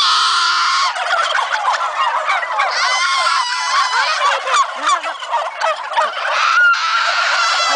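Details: Many farm turkeys gobbling together ahead of Thanksgiving, a continuous chorus of rapid rattling gobbles and yelps from the crowded flock, with no pause in the din.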